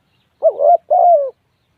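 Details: A single spotted dove call, made of a short quavering note that leads into a longer, even coo that tails downward, with a silent background.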